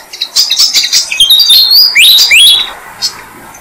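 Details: At a jam tree nest, Malaysian pied fantail adults feed chicks six days old: a run of high squeaky notes builds into several loud upward-sweeping whistles, then a single faint chirp.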